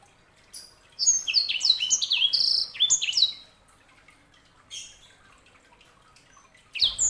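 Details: Canary hybrid called sanger sings two quick phrases of high, falling chirps, followed by scattered faint notes and a final burst.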